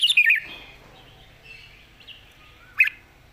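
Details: Red-whiskered bulbul with a light voice and good song phrasing, giving a short warbled whistled phrase at the start, then a long near-silent gap and one brief bright note near the end.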